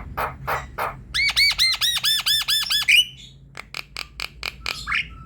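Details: Javan myna singing energetically, as a prompt for a silent myna: harsh rasps, a rapid series of about nine looping whistled notes, then quick dry clicks and a short squeaky whistle.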